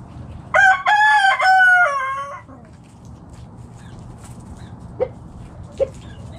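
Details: Backyard chicken flock foraging in the morning; a loud, clear crow in several connected, tonal segments lasting about two seconds, followed by quiet background and two short single clucks.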